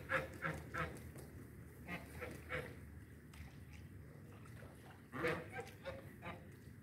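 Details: Ducks during mating: faint, short nasal calls at irregular intervals, in small clusters near the start and again around five seconds, over a steady low background rumble.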